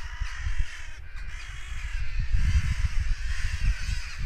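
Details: Agitated crows caw after an apparent goshawk attack; grating calls pile on top of one another, growing busier toward the end, with strong low-pitched wind buffeting.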